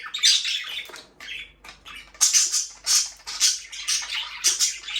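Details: Pet budgerigars, a breeding pair in an aviary, chattering with harsh, buzzy chirps and squawks in bursts, some rising and falling, with brief quiet gaps between phrases.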